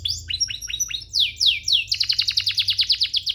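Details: Training song of a canary: paired downward-slurred whistles, a few long falling sweeps, then a quick, even run of bright repeated chirps, roughly seven per second.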